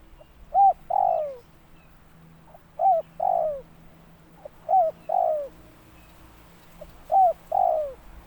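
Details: Repeated calling of a spotted dove: four phrases roughly every two seconds, each a brief clipped note then a longer hoarse descending coo, over quiet background.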